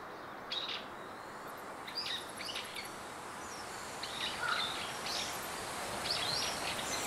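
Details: House swifts of a nesting colony of around 200 birds on a building's rooftop eaves in Surugadai, Tokyo, flying high over the city: repeated short, high twittering trills in bursts every second or so, over a constant urban hum.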